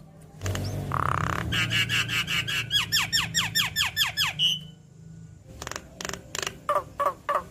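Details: Javan myna lure song: a run of squeaky, steeply falling whistled notes repeated about every third of a second, followed by a pause and several harsh rasping bursts.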